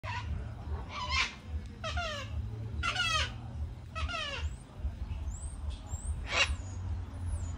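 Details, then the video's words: Cockatoos calling at sunset: a run of harsh, raspy calls, each a stack of quickly wavering tones lasting about half a second, repeated every second or so, over a steady low rumble with thin high chirps. "Cockatoo Sounds at Sunset"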